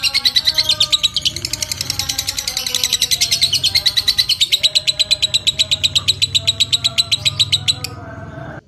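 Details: Long 'ngekek' chatter from a fighter lovebird: a fast, dense trill of sharp high notes running for nearly eight seconds before stopping abruptly, soft whistles audible in the background.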